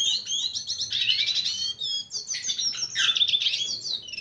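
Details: A red siskin courting a female sings a dense, high twitter of rapid trilled notes and buzzy phrases with slurred whistles throughout.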